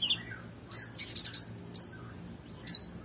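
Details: Oriental magpie-robin in fired-up song for training competition birds: a falling slurred note, then a quick stuttering run of high notes followed by two drawn-out bright whistles.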